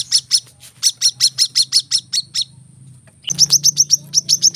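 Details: Brown-throated sunbird, used as training audio for caged birds, giving two dense volleys of piercing high chips. The first runs about two seconds, then a short gap, then a second quick series begins. A faint low drone lies beneath.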